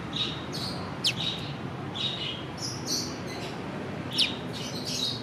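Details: Prinia (prenjak lumut) giving short chirps around mid-high pitch mixed with two sharp, high downward-sweeping 'piw' notes, over a steady low background hiss.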